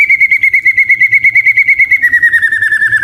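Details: White-rumped shama delivering a rapid, steady pulsed trill of whistled beats, roughly three per second, drifting slightly lower in pitch toward the end.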